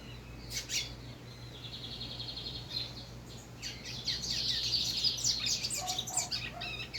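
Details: Rusty-collared seedeater singing: a quick series of high chirped notes and buzzy trilled phrases, growing louder toward the end, over a low steady hum.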